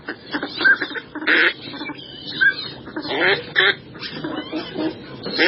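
Northern pintails calling: a busy chorus of nasal, raspy quacks mixed with short whistled notes, several birds overlapping at an uneven pace.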